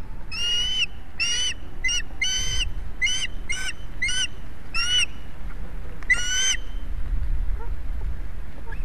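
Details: At an Estonian osprey nest on 11 July 2017, 16:27, soaked young and a huge fish at the nest, recorded by a live camera: repeated shrill, harmonic chirped calls in bursts, with constant low rumble behind.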